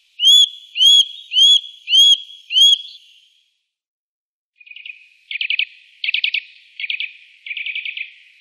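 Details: Eurasian nuthatch gives five loud upslurred whistles. After a short pause it switches to rapid, buzzy, stuttering bursts of clipped notes repeated in quick groups.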